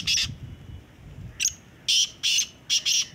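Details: Black francolin calling in a calling competition: short harsh rasping bursts, one opening note, a lone note near mid-clip, then a quick cluster of four grating notes, over faint low background rumble.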